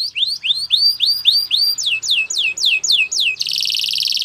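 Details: Canary song for training: rising curved whistled notes repeated about four per second, shifting to steeper falling sweeps, then a sustained harsh, dense high buzzing roll.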